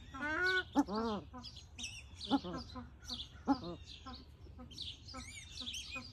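Paradise shelducks give loud, nasal honking calls, several in quick succession and then spaced about a second apart, over high chirps from small birds.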